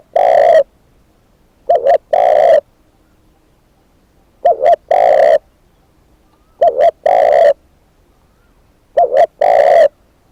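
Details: Spotted dove kept as a decoy bird, repeating a steady low phrase of a doubled short coo and a long hoarse coo about every two and a half seconds, five phrases in all.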